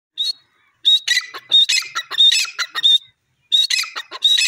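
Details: Grey francolin calling: loud harsh repeated phrases, each opening with a thin whistled note then a burst of grating, squawky syllables, several bursts in quick succession with short pauses.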